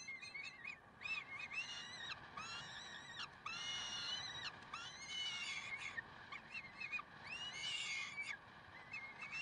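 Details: Peregrine falcons recorded in Karlsruhe on 30 May 2010, 6:56. A busy, overlapping jumble of harsh, nasal wails and short clipped notes runs almost continuously, loudest around the middle.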